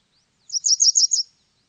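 A Japanese wagtail gives a quick burst of five high, sharp chirps in under a second, run tightly together against a silent background.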